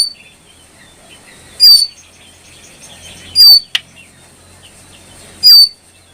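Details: Brown prinia delivering loud, shrill high notes about every two seconds, each a quick bright burst trailing a falling sweep, with a faint low hum beneath.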